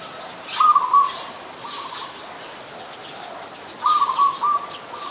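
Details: Zebra dove, an adult, recorded on 28 December 2020 in Ubon Ratchathani, Thailand: two bursts of soft, rapid, staccato cooing notes around one pitch, each lasting under a second, with faint higher chirps from other birds behind.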